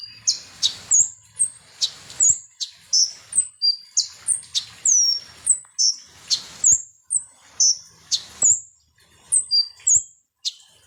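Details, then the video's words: Ninja hummingbird, a sunbird called konin, sung to agitate other birds: long lively sequence of sharp high chirps and falling whistles, repeated quickly and irregularly with brief pauses. "SUARA BURUNG KONIN atau KOLIBRI NINJA"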